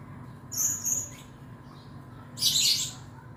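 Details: Male blue-crowned hanging parrot, a contest and song-tutor bird, singing eagerly: two quick high squeaky whistles, then a harsher, broader buzzy note after a short pause, over faint low background hum.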